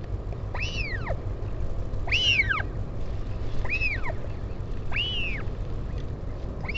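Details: Northern royal albatross at its colony on Taiaroa Head near Dunedin, New Zealand, during a parent's visit to a chick on 16 July 2019. Five arched whistled calls rise then slide downward, roughly every one and a half seconds, over a steady low wind rumble.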